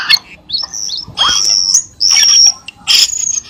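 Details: Cucak keling lure sound for caged birds: long, clear high whistles, some rising and some level, broken by short harsh chatters and a quick trill at the end.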